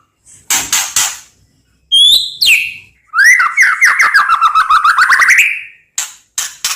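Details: White-rumped shama song for training: a few buzzy rasping notes, sharp upslurred whistles, then a long rapid trill of rich whistled notes, ending in harsh chattering bursts.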